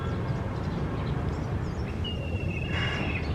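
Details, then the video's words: Black kite, one of a pair perched on a tree, giving a thin shrill whistle held nearly level and slightly falling for about a second near the end, over a steady low rumble with faint other bird notes. "Shrill noise of Black Kite(Cheel)pair on a tree.One of them making sound."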